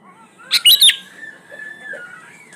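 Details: Sooty-headed bulbul song used as a lure for birds that rarely sing: a short bright burst of chattering notes, then a softer drawn-out whistle with faint low notes beneath.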